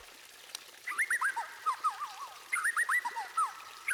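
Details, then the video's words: Two short phrases of whistled white-rumped shama song, used to set other birds singing: quick clusters of looping, up-and-down slurred notes with a pause between phrases, over a noisy hissing background. "Masteran Burung Murai Batu Terbaik: Bikin Semua Burung Ikut Bunyi!"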